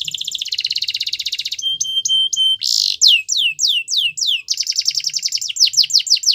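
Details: Belgian canary song to stimulate other canaries: buzzy trills, stuttered pure whistles, a harsh burst, then falling sweeps and a closing trill.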